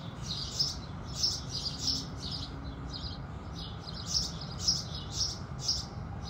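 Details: House sparrows at sunrise chirping in short high notes, clustered in bursts with a brief lull midway, over a faint low rumble.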